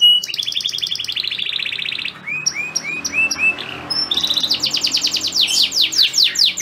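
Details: Male canary singing to a female in breeding condition: a steady fast trill, a row of five upslurred whistles, then a brighter, quicker trill of high notes.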